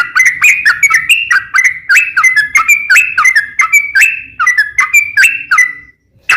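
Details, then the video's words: Long, fluent yellow-vented bulbul song played to coax other bulbuls into song, a continuous string of liquid whistled phrases that dip and lift, roughly three per second, closing with a held note. "trucukan gacor ROPEL PANJANG buat pancingan trucukan agar bunyi"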